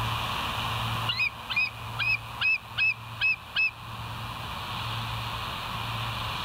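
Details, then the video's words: Bald eagles at the West End nest, filmed by a live nest camera at 22:51 on 17 September 2023: six thin, high, piping notes in an even series, each about 0.4 seconds apart, over a steady hiss and low hum. "West End Bald Eagles"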